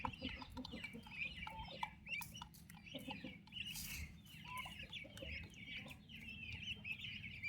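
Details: Turkey chicks with their mother, healthy and active young birds: many overlapping high peeping calls mixed with low clucks, over a busy background of scratching and shuffling.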